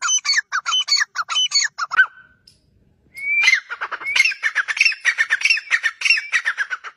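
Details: Grey francolin making loud, raspy repeated notes in quick rhythmic pulses, a short pause around three seconds, then a rising whistled note leading into another rapid grating series.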